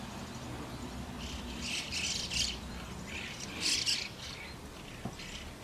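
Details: White-cheeked starlings raising chicks at the nest: harsh, buzzy squawking bursts in two clusters, over a low background rumble.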